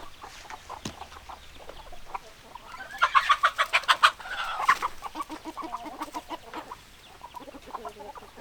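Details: Chickens clucking loudly in a fast, rhythmic run of harsh clucks, then softer scattered clucks, with high faint peeps and light background noise.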